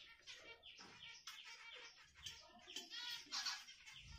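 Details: Budgerigar chattering in a dense, continuous warble of quick chirps, clicks and scratchy notes, steady throughout with no pauses.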